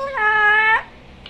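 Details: Pet parrot speaking with its owners: a single steady, rich, nasal, voice-like tone lasting about half a second.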